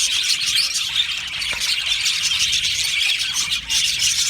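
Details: Colony of budgies from Australia in an aviary, overlapping high chirps and warbled song forming an unbroken twittering din, with a brief dip in loudness near the end.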